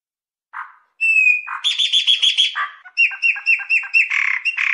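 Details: A Chopi blackbird delivers a low note and a long whistle, followed by a rapid buzzy trill, then quick repeated chirps ending in harsher rasping notes.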